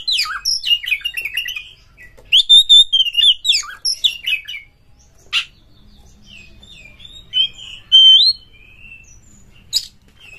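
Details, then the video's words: An Oriental magpie-robin sings to prompt other birds: bright chattering phrases and ringing whistled notes, a pause, then scattered sharp chips and a few soft, sliding whistles. "Pancingan Burung KACER TOP Buka Ekor KONSLET PATEN FULL MATERI full Isian Gacor Emosi Tinggi"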